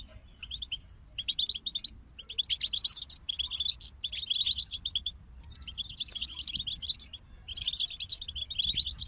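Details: European goldfinches in a group pour out fast liquid twittering, several dense bursts of high tinkling notes separated by brief pauses, sparse chirps leading in, and a soft low rumble behind.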